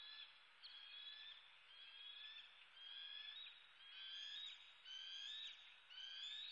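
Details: Bald eagle eaglet demanding food in Southwest Florida, USA, early morning on 8 May 2016; high, thin squealing cries with overtones, repeated in runs about once a second, some rising at the end, over steady background hiss.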